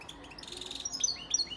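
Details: European goldfinch, a breeding male from Antalya, Turkey, recorded in 2018, singing a fast, high twittering run of bright chirps and short metallic notes, with a brief buzzy trill near the middle and quick upward-flicking tones.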